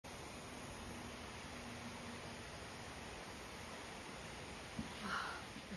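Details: A steady, even hiss fills the whole recording, broken only by a brief soft knock near the end, with no animal voice heard.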